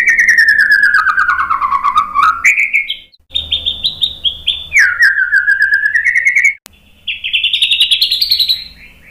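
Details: White-rumped shama song used as a training lure to provoke other birds into singing. Long clear whistles slide downward, then climb again in rising and falling phrases. Bright overtones sit above them, with a short pause midway and a sharp click.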